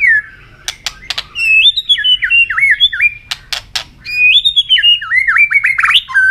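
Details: A white-rumped shama sings hard in contest, flicking its tail, pouring out loud looping whistled phrases with dipping and rising slurs, broken by crisp clicks and brief pauses.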